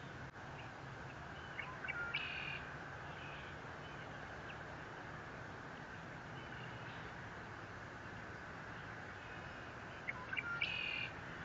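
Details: Eagle captured by a Fort Saint Vrain nest cam on 30 April 2021 utters two brief high squealing call bursts, about eight seconds apart, with a persistent machine hum filling the gap.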